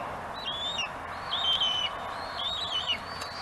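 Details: Bald eagles at a nest on Gabriola, filmed by webcam as one mantles prey and another waits its turn; high whistled notes, each sliding downward, given in three clear bursts over constant hiss.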